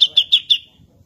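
A grey-cheeked bulbul gives four sharp, high chips in quick succession, about six a second, trailing into a thin ringing tone.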